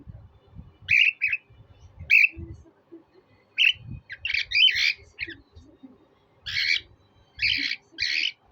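A cockatiel gives short, bright whistled chirps mixed with harsher squawky notes, in bursts.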